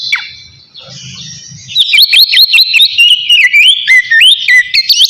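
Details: Calling a rival in the open ngeplong style, a magpie-robin holds a long steady whistle, then bursts into rapid looping notes that rise and fall, each crisp and ringing, with a faint low rumble early on.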